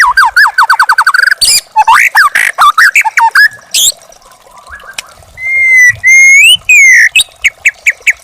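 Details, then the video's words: White-rumped shama, young bird from the forest, singing for caged-bird training: a quick stuttered series of whistled notes, harsh chattering phrases, then long clear rising whistles and short repeated chips. "masteran burung murai batu muda hutan"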